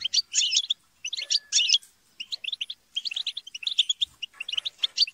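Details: European goldfinches chattering and squabbling as a group: bursts of rapid, high twittering notes and short buzzy trills, with brief pauses between flurries of overlapping calls.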